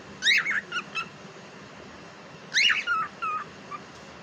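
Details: Talking pet cockatiel gives two bursts of rapid, harmonic, speech-like syllables about two seconds apart. Each burst opens loud and trails into softer chatter, with steady low hiss between the bursts.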